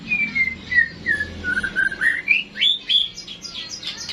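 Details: White-rumped shama in classic singing, a flowing string of sweet whistled notes that step from low slurs up to higher, faster chirps at the end, about three notes a second.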